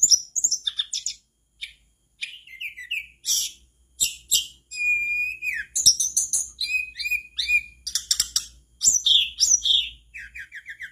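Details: Mangrove blue flycatcher; song; prompting other flycatchers to join in singing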